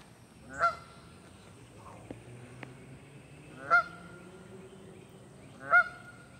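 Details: Canada goose on May 20, 2023 gives three loud, nasal honks spaced two to three seconds apart over a quiet background with a faint steady hum.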